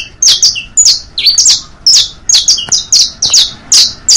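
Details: Saffron finch song of the basto, pinto and fino varieties, used for teaching young birds: bright chirps and short buzzy high notes at about two per second, some paired or slurred downward, with a faint indoor background.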